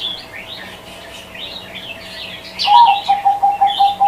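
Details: High twittering of small birds fills the first part before a zebra dove breaks in with a quick string of short repeated coos.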